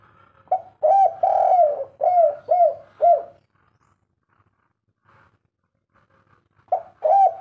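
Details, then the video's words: Spotted dove (derkuku) giving the agitated three-note kuk 3 coo. A string of mellow, hollow coos, some drawn out and some clipped, runs for about three seconds. After a quiet gap the bird resumes cooing near the end. The surroundings are otherwise quiet. "suara derkuku kuk 3 ngamuk"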